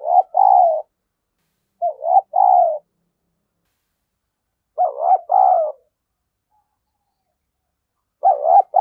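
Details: Spotted dove decoy calling to attract wild doves, in 'giọng thổ' voice. Four loud, low two-note coo phrases arrive in quick succession with short gaps between them, and the final phrase is cut off. No other sounds.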